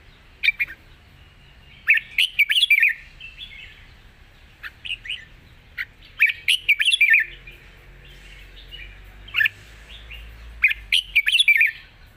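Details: Long wild-style song of a red-whiskered bulbul with rik notes: clusters of quick bubbly chirped and warbled phrases, repeated about every four seconds with short separate notes between, faint low rumble underneath.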